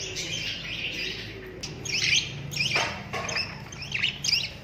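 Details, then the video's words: Cockatiels kept together with other parrots: a busy chorus of overlapping high chirps, with several loud, sharp, sweeping chirps standing out in the second half over a steady low hum. "BIRDS Chirping Sounds / Beautiful Cocktail Parrots"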